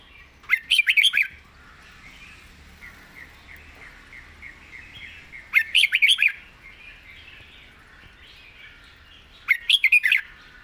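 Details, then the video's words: Red-whiskered bulbul, noted for singing readily with an attractive style, repeats its loud, jaunty whistled phrase three times, about every four seconds. Quiet chattering notes fill the gaps. "ดาวรุ่ง ปากเบา สำนวนน่าฟัง"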